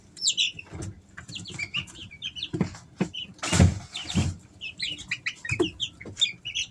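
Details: Several three-week-old Easter Egger chicks kept at home in summer, giving short high peeps and chirps in scattered bursts, mixed with low thumps and rustling from movement.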